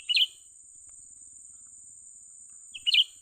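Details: Young cucak ranting bulbul recorded while being lured and trapped: two sharp, clipped chirp bursts about three seconds apart, with a steady high-pitched whine throughout.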